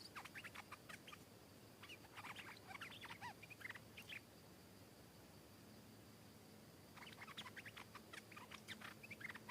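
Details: Wild stripe-throated bulbul answering and aggressively fighting a caged bird; several fast, jumbled warbling bursts in the first four seconds, a quiet stretch, then a fresh volley of chattering notes near the end.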